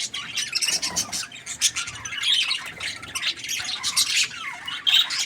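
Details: Happy budgerigar chattering steadily, mixing harsh high squawks and quick twittering chirps into an uneven, continuous warble.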